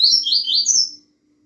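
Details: A single rapid Bahiano-style phrase from a double-collared seedeater: several high, slurred, falling notes rising to a final higher whistle within a second, then silence apart from a low background hum.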